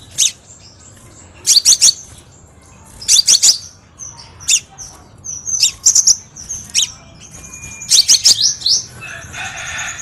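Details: High, sharp chirping phrases from a crimson sunbird, used to train and attract cage birds, delivered in clusters about every one to two seconds with thin whistles between and a brief scratchy rasp at the end.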